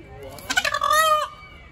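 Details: An angry peacock gives one loud, nasal, harmonic-rich call lasting under a second, slightly rising and wavering, then stopping abruptly; faint background hiss.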